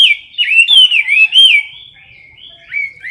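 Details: Chinese hwamei in a cage singing competitively near the camera: a few loud, looping whistles rising and falling, trailing off into softer, quieter notes.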